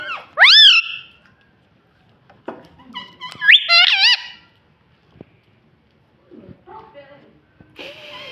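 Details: Pet ringneck parrot, kept as a talking green parrot, giving loud rising-and-falling harmonic squeaks, one near the start and a wavering run midway, with quieter chatter and a room echo between.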